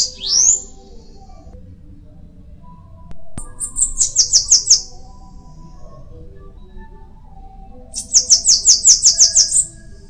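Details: Bananaquit giving a thin rising squeak, then after a sharp click two bursts of song, each a rapid sequence of high sizzling notes, with quiet gaps between.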